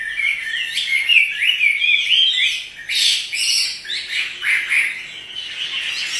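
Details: Kept Chinese hwamei, singing actively while dancing, gives loud varied whistled phrases with rapid rising and falling slurs and trills, broken by brief pauses and a few harsher bursts.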